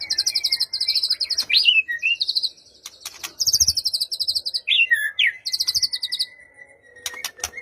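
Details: White-rumped shama singing, meant to trigger a silent bird: long rapid high trills broken by looping whistled notes, with faint clicks and a soft background hum.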